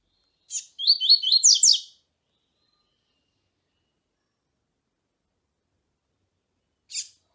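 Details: Double-collared seedeater song, played with a female's calling to excite the male: a sharp broadband note, then a quick run of rising whistled slurs that end in buzzier notes, followed by another single sharp note after a long silence.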